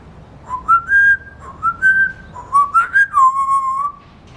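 An African grey parrot gives clear, pure whistles imitating other birds: rising slurred notes in quick phrases, ending in a long, steady falling whistle. The room is otherwise quiet.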